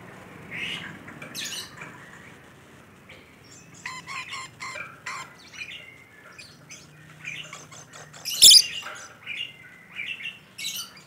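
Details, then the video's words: Busy chattering from a rainbow lorikeet in full voice: rapid scratchy notes and squawks in uneven runs, with a single piercing screech near the end and softer chirps trailing after. "Suara Burung Nuri Pelangi Gacor"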